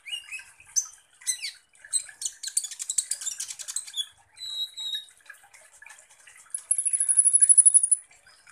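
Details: Softer sunbird (kolibri ninja) song used to provoke other birds: scattered high ticks and chirps building into a rapid chattering run, a short steady whistle, then a fast, very high trill of repeated notes.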